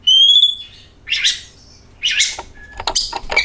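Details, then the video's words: An oriental magpie-robin sings to lure other magpie-robins: a clean, level whistle with a slight upward bend, followed by rough, raspy bursts and a short high note. "DENGAN VIDEO INI KACER AUTO GACOR, Suara Burung Penyejuk Hari, Pancingan Kacer"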